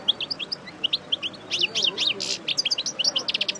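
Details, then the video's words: Post-moult parva goldfinch used for breeding, going over its song: spaced clear chips building into fast tinkling twitters and a brief buzzy rasp. "Chardonneret Parva Coupleur Sortie De Mue Repasse Le Chant"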